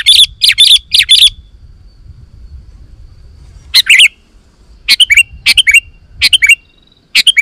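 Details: Sooty-headed bulbul calling to lure wild bulbuls: a fast cluster of bright chirps, a quiet gap of over two seconds, then further groups of chirps ending in short downslurred trills.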